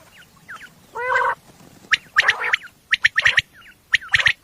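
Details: Common quail at night, a recording used for hunting, described as female: sharp triple-pulsed notes in three short bursts late in the clip, preceded by a nasal, banded croak and small slurred chirps.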